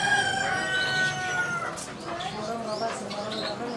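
Chukar partridge giving a drawn-out, ringing note, then rapid clucking notes about four a second over a noisy background.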